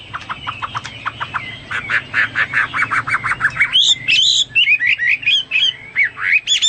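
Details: Hwamei song opening with fast rattling repeated notes that speed into a trill, then switching to loud, varied, looping whistled phrases.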